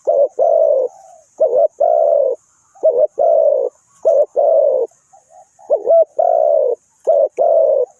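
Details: Spotted dove kept as a decoy for trapping in Ninh Thuận, cooing steadily: clusters of quick clipped notes ending in longer mellow coos, repeated in a loose rhythm for several phrases.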